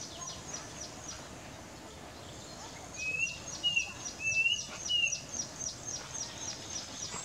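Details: Klaas's cuckoo in Gambela Regional State, Ethiopia, on 1 September 2018, gives four short, clear, slightly rising whistles about half a second apart, over a steady high ticking and soft background hiss.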